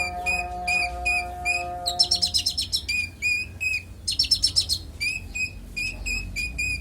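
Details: Konin song intended for tutoring songbirds: rapid pulsed chip notes about three per second, interrupted by two fast, high, buzzy trilled bursts, with steady low tones early on.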